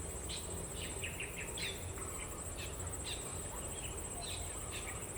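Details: Blue-throated bee-eater in Sabah giving short, clipped chirping notes, several in quick succession, over a steady high insect buzz and a low background rumble.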